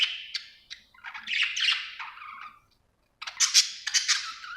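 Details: Budgie in happy chatter: harsh squawky warbling and rasping notes, a brief silence, then loud bright chirps and a falling whistled note.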